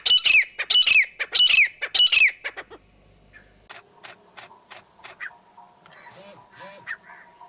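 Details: Four loud ringing, harsh grouped calls of a Grey francolin come at steady spacing for about two seconds, followed by quieter scattered clicks and faint distant notes.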